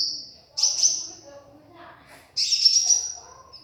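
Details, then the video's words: Konin bird in lively song, giving two loud bursts of high, piercing sustained whistles about two seconds apart, each starting abruptly and fading, with a soft high note between them. "BURUNG KONIN GACOR"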